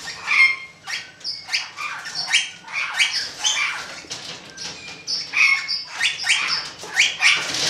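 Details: Golden-mantled rosella recorded in 2013: dense bursts of sharp, harsh squawking notes with short whistled pieces, overlapping rapidly, joined by wing flapping and rustling throughout.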